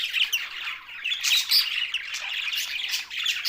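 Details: Budgerigars, Australian parrots, Larkana, Sindh: unbroken high scratchy warbling and whistled squeaks from many birds, swelling and ebbing in waves.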